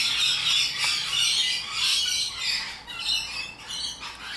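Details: Shrill, rasping screeches of rainbow lorikeets rise and fall in uneven bursts, a raucous overlapping chatter that thins slightly toward the end.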